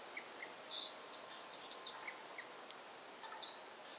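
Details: Blyth's reed warbler in Siberia singing soft, high, scattered whistles and clicks in an unhurried, varied phrase.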